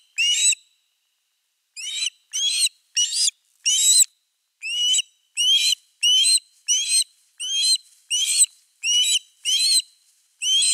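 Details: At a Finnish osprey nest on 4 August 2024, with a fish brought in: repeated shrill whistled yelps, roughly two per second after a short opening gap, each note upslurred and ringing, no other sounds.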